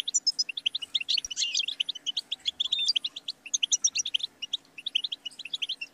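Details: European goldfinch singing a dense, fast run of tinkling high chirps and trills, almost continuous with only short gaps, over a weak steady background hum.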